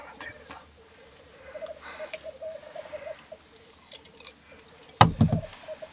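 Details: Dawn lek of three black grouse males at Filsartrusket in Florarna, 17 April 2013, heard from a hide; soft, continuous gurgling coo trills, faint higher sounds, and one sharp loud knock near the end.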